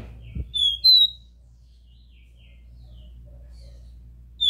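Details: Copper seedeater in the pure 'Dó Ré Mi' song style, played to stimulate a captive bird: two clear whistled notes near the start, rising slightly in pitch, then a pause and one more whistle at the end, with a soft thump early on.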